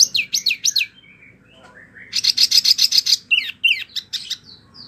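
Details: Mini wambi in captivity singing 'ngerol': a few looping high whistles, a brief lull with a soft rising note, then a fast burst of dense trilled chips followed by sharp twitters.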